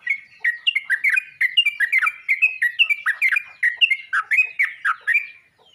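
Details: Yellow-vented bulbul calling to other bulbuls with a lively, continuous chatter of slurred, bubbly chirps, several per second, some paired, running steadily for over five seconds.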